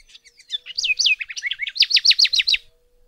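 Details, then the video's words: House wren, Troglodytes aedon, known locally as cucarachero común, recorded at Alto San Miguel; a rapid, bubbly phrase of scratchy notes sliding between high pitches, ending in a fast series of loud repeated trills, about two seconds long. "Guía Sonora de Aves - Alto San Miguel: Troglodytes aedon, Cucarachero Común"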